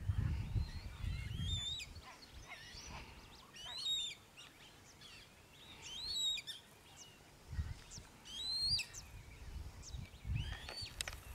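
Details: Eurasian coot, Tablas de Daimiel and Villarrubia wetlands, La Mancha, Spain: repeated sharp, arched whistled calls every two seconds or so, some rising steeply, with intermittent low rumbles between them.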